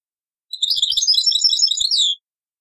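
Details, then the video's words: A single dense burst of sparkling, high-pitched twittering from a European goldfinch, taqsrayin song style, sourced from an old cassette recording. "تغريد تقصراين"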